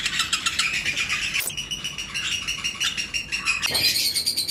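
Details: Lovebird pairs in a breeding-season flight colony, several colour mutations, keep up dense, rapid high chirping chatter. A sharp click cuts in midway, then a steady piping tone sounds through the chorus.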